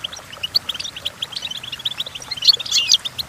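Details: Goldfinch singing, recorded for teaching goldfinches to sing; a steady stream of quick high chirps builds into a louder, denser jangling flourish near the end.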